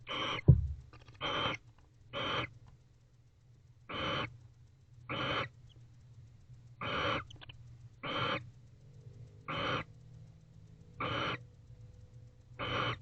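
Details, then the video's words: Barn owls in an owl box at 10:59 pm, 19 October 2024, after mating with affectionate kissing; a long run of about eleven breathy rasping hisses, roughly one per second, after an opening thump. "A Little Earlier Barn Owls Mated, Followed By Affectionate Kissing."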